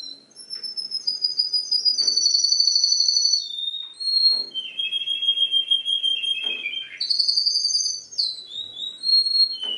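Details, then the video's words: Canary parodying other birds' songs: continuous high whistled phrases, some held and pulsing, others sliding down in pitch, shifting between several tones throughout with brief pauses and soft clicks. "CANARY PARODIES 10 BIRDS SONG"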